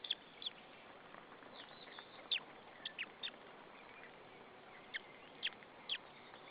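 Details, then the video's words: Young white-tailed eagle on the nest at Saunja, Estonia, 26 April 2013, chirping before being fed: scattered high, slightly descending peeps at uneven intervals, some clustered in pairs, amid soft rustling and hiss. "the baby tjirping"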